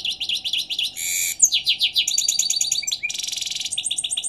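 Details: European goldfinch singing in the morning, a lively twittering run of rapid high notes, buzzy trills and dense chattering bursts, hardly pausing, over a steady low hum.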